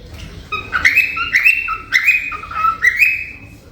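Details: A gray male cockatiel, in a group of cockatiels, gives a run of bright, rising chirps and whistled notes, about one every half second.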